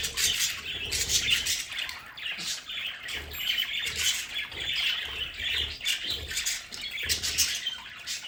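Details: Captive budgerigars in a home play area giving busy, squawky chatter, bursts of chirps and warbles overlapping without pause, with a steady faint background hiss.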